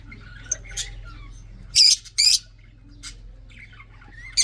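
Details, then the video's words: Red-eyed budgerigar in a breeding setup giving two loud, harsh, buzzy squawks close together, with faint chirps and twitters scattered before and after. "red eyes australian parrot"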